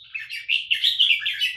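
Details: Red-whiskered bulbul kept in a cage delivers a quick continuous warbled phrase of rolling, bubbly whistles that rise and fall with no gaps, on a quiet indoor background.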